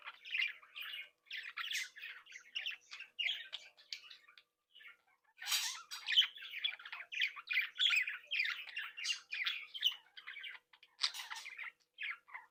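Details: Breeding flock of pet budgerigars, young birds playing and relating to each other: steady scratchy warbling and chirruping, busy bursts of grating squawks and high tweets with a short lull near the middle.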